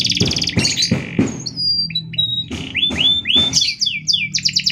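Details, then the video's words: Canary song played as a master for training or provoking other canaries: harsh broadband rasps at the start, then clear rising whistled slurs and quick chirped phrases in close succession, with low hum beneath. "Suara Kenari Gacor panjang Jeda rapat"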